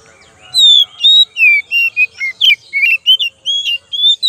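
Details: Oriental magpie-robin (kacer) lure song: a rapid run of loud, clear whistled notes, some sliding down and some rising, with short buzzy and chattering notes between them, over a quiet background.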